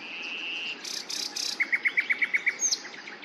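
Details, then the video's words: Common nightingale phrase: a long steady whistle, three harsh rasping notes, then a fast run of about eight sharp repeated notes ending in a thin upward flick. "بولبولی عەندەلیبی ـ خاوەن خۆشترین دەنگ و خوێندنە ـ Common nightingale _ The most beautiful sound"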